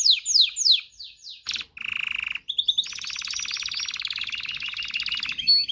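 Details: Canary song for mating stimulation: falling sweeps, a short burst, a flat buzzy tone, then a long fast rattling trill with a faint whistle at the end.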